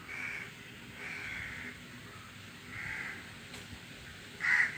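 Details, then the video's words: Crows give four harsh, raspy caws at uneven intervals over about five seconds, the last one loudest, against a steady rush of wind. "The sound of crows with the wind"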